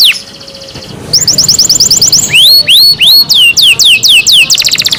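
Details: Household canary singing: a buzzy trill, then slower upward-swooping whistled notes, ending in fast downward-sweeping chirps.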